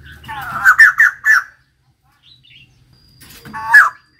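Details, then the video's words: A female white-crested laughingthrush gives four quick loud harsh notes in a row, then a pause and another raspy burst. "Poksay jambul putih betina gacor"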